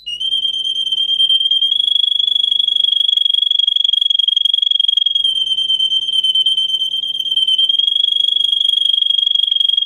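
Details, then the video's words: Russian singer canary, a breed kept for singing, in a training recording for teaching canaries to sing: one steady, high, rapidly pulsing rolled tone held for nearly ten seconds, with a faint low hum underneath. "For training Canary singing (Russian singer canary singing) Original Song. Для обучения канареек"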